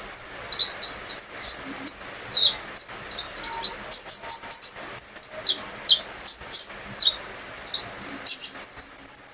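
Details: Olive-backed sunbird, a privately kept bird, singing to coax others into song: lively high chirps delivered in close runs, buzzy clusters midway, ending in a fast sustained high trill.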